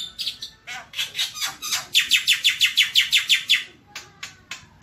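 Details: Javan white starling masteran: buzzy chattering notes building into a regular series of loud harsh chirps about three per second, fading to scattered sharp chips.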